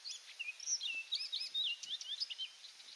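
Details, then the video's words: Singing orchard oriole at Donnelley WMA in coastal South Carolina, pouring out a continuous, lively string of whistled and down-slurred notes with buzzy accents, varied in pitch throughout. "Orchard Oriole Singing"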